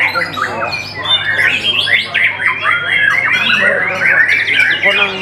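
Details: White-rumped shama song: a dense, unbroken stream of varied whistles, slurred glides and rapid warbled trills, mostly mid-to-high pitched, over a steady low electrical hum.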